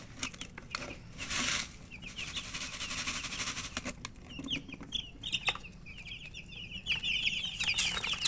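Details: Colourful baby chicks, after a burst of broad rustling noise at the start, break into a rising chorus of high, quick cheeps that grows louder toward the end.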